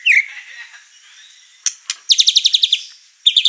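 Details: Agitated white-rumped shama unloading its repertoire among other house birds; a brief whistle, quiet twittering, two sharp ticks, then a rapid chattering series of about ten high, evenly spaced notes, repeated after a pause.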